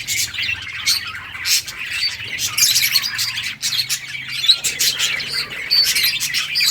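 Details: Colourful budgies at play keep up constant high chirping and chattering, overlapping calls from several birds, over a faint low hum.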